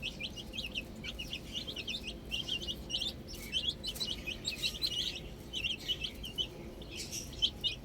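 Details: Young chicks playing with a ball chirp in short runs of shrill, slurred peeps, with brief quieter gaps and light background noise.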